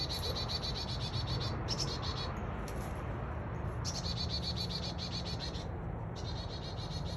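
A chickadee gives bursts of rapid, high, buzzy notes, several runs about a second or two long, over a steady low rumble of background noise.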